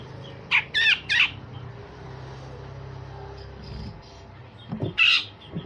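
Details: Grey-cheeked bulbul (cucak jenggot) with harsh song for training other songbirds. Three rough, grating notes open the passage, followed by quieter scuffling sounds and one more loud rasp near the end.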